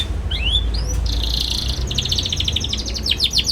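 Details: Young canary chirping busily, a tutor recording for young canaries learning to sing: a few rising whistled chirps, then a sustained buzzy note and a rapid, rattling trill of high notes, over a low background hum.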